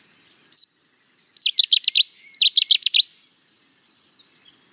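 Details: Cetti's warbler singing from dense cover, an explosive burst: one sharp opening note, then two loud staccato runs of four or five rich, chopped notes each, about a second apart, with faint soft notes around.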